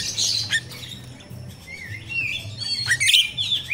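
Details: Myna of the kind called jalak rio-rio, recorded in nature and used as a lure to train captive untrained birds: harsh buzzy chatter, then rising and falling whistled slurs and a squeaky burst, over a steady low hum.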